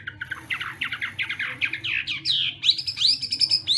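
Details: Chinese hwamei during morning singing practice: a quicker chattering series of buzzy notes that shifts into higher, clear looping whistles, with a faint background hum.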